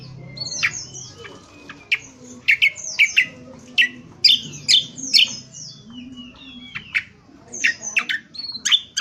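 Indonesian honeyeater giving harsh, scratchy twittering bursts, high and clustered two or three times a second, with a faint low hum behind.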